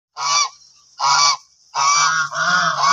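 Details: White domestic geese honk loudly in harsh, nasal blasts: three separate honks, then a longer overlapping run of calls from more than one bird, males hoarse and low, females clear and ringing.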